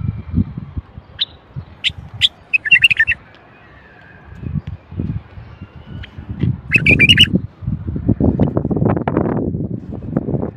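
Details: Common bulbul, called the Moroccan bulbul of North Africa and noted for its sweet song: several short, high chirps spaced apart, then two brief chattering bursts, over steady low rumbling background noise.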